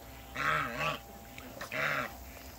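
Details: Two loud, harsh nasal honks from a backyard pair of African geese, the first doubled, the second following after a brief pause, with a low hum underneath.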